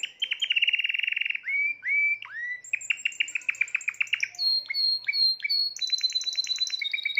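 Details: A caged Timbrado canary, seventh bird of its owner's 2020 birds, delivers rapid trills, long rising whistles and quick chopped tours shifting between lower and higher pitches.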